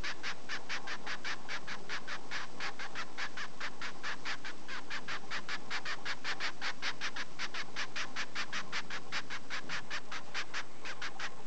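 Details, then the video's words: A noisy double-barred (owl) finch, being stroked after a full meal, gives a long, steady run of short nasal calls, about four each second, over a low background hum. "さわがちい。 Owl Finch"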